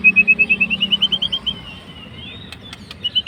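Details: White-rumped shama fighter singing to provoke a rival: a rapid, even trill of about fifteen bright whistled notes rising slightly in pitch, a long gliding whistle, then a few clicks and a resumed trill.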